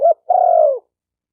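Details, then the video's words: One coo phrase from a spotted dove, a brief rising introductory note then a drawn-out, slightly descending coo, clean with no other sounds. "Tiếng chim cu gáy tập bổi chuẩn nhất chim hay"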